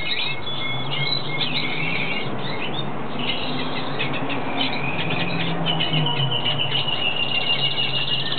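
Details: Hooded siskin (Carduelis magellanica) in breeding season sings a fast, unbroken twittering of bright chirps and thin trills that rise and fall, over a steady low hum.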